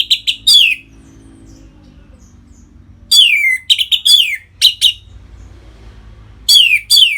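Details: Orange-headed thrush kept caged in North Bali, singing 'ngeplong' to rouse other birds into breeding mood; short groups of sharp, downslurred whistled notes delivered in bursts with pauses of about two seconds.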